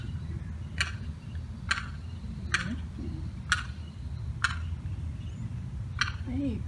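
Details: Young limpkin chick gives a distress call on July 4th after getting cut off from its mother and sibling by a fence. It wanders alone, repeating short sharp calls about once a second over a low steady rumble.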